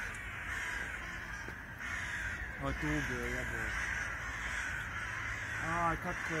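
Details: Eurasian magpies fighting give two short bursts of harsh, rapid chattering notes over a steady background hiss, with a person talking nearby.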